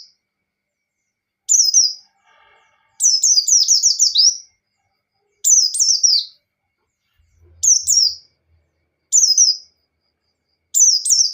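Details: White-eye 'ngalas' song meant to provoke a rival: bursts of rapid high whistled notes, each slurring downward, some phrases packing four or more notes, repeated every one to two seconds with a faint low hum once.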